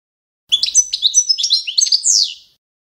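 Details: Short phrase of Balkan goldfinch (Carduelis carduelis balcanica) competition song: about two seconds of quick, tinkling chirps and a sustained whistle, ending in a loud buzzy downslurred note.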